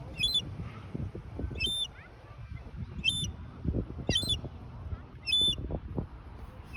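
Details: A wandering baby seagull calling as if looking for its mother: thin, high, slightly rasping peeps repeated about every second, over a low rumbling background with soft thuds.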